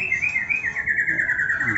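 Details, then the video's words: White-rumped shama (murai batu), one of them a bird with cataract: a sustained, wavering whistled line holding a steady pitch with small rapid ripples throughout, faint background noise and distant human voices. "ngetrek murai batu katarak dan murai batu bekas cabul"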